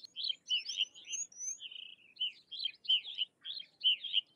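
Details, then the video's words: Sykes's lark singing a continuous run of short, chirpy, warbled phrases, rising and falling notes tumbling one after another with brief gaps, a few thin high whistles above; quiet background. "Sykes's Lark or Twany Larks Singing"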